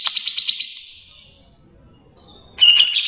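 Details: Grey-cheeked bulbul delivering a clear ngebren song: a pulsed, buzzy trill fades out over a second, a quiet gap with faint background rumble follows, then a loud, abrupt trill bursts in at the end.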